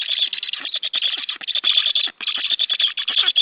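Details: At a white stork nest, recorded by a live nest camera on 28 July 2013: loud, fast rattling chatter of rapid rasping pulses, nearly continuous, with one short break midway.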